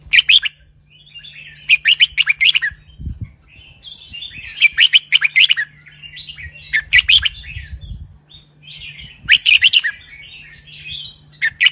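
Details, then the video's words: Red-whiskered bulbul kept in a cage, singing continuously in a long doubled phrase: rapid bright warbles and chirps coming in clusters roughly every two to three seconds, with soft chatter between, a few low thumps, and a steady hum. "นกกรงหัวจุก (เจ้าตอก) เบิ้ลร้อยเพราะ ๆ เปิดยั้วนกฟังนกคึก"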